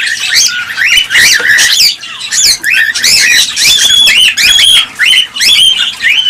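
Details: Cockatiels calling, in a recording used to spur mating and breeding. Dense overlapping chorus of shrill, whistled notes with rising and falling sweeps. Short bursts run almost continuously with brief pauses, and no other sounds stand out.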